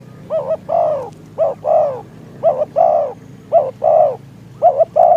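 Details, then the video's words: Decoy spotted dove calling in strong wind to lure wild doves into a trap. It gives five rapid phrases, each a quick double coo followed by a longer, falling, mellow coo, with about one phrase per second. "ต่อนกเขาใหญ่ ต่อเพนียด"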